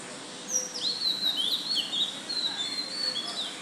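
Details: An Oriental magpie-robin sings a new song at 05:02 am on 12 June: a continuous, varied run of clear, high whistles with slurred rising and falling notes over a faint background hiss.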